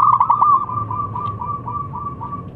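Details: A zebra dove of local wild stock with a 'crystal' voice, known for calling rivals. It opens with a loud fluttering coo and trails off into fainter evenly spaced notes against a low hum.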